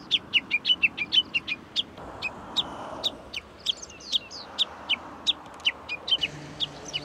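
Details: Japanese bush warbler, heard but not seen, giving a fast run of sharp, high, downward-sliding notes, about three per second, then a looser series of similar chips over a soft background hiss.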